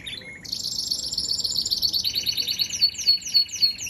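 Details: Canary singing: a high, continuous run of rapid trills and chirps, shifting between buzzy rolled tours and clear repeated notes, with bright descending slurs toward the end.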